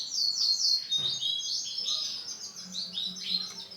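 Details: Male canary of an orange and black colour variety singing a rapid, high twittering song of bright trills and warbled phrases that runs on without pause, with a faint low hum in the background.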